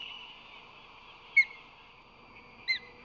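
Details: Osprey at a nest on a crane during incubation in April 2024 in the San Francisco Bay area, where the male brings fish and shares incubation. Two brief, sharp, high chirps about 1.3 seconds apart over a steady low hum.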